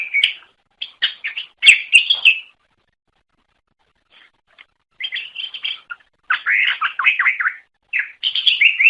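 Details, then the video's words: Lure song of a greater green leafbird: bursts of quick chirps and buzzy trills, then a long silence before a rush of rapid descending whistled notes. "Suara Kicau Burung Cucak Ijo Durasi Panjang Untuk Memikat"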